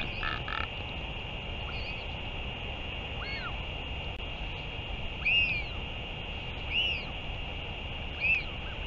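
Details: Northern royal albatross recorded 31 May 2023 during a return and feeding, giving four short, arched whistled notes about every one and a half seconds, over steady wind rumble.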